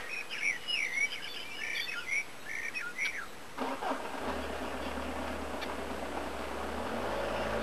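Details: Eurasian blue tits from a family newly settled in the area, recorded on 5 and 12 May 2012, give thin, high chirps and short trills for about three seconds, then a passing vehicle's hiss and rumble take over.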